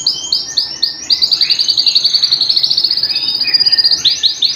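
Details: Home canary in full song: a few swooping upward notes, then a long, fast, very regular trill of bright high notes, about eight per second, followed by renewed swooping phrases.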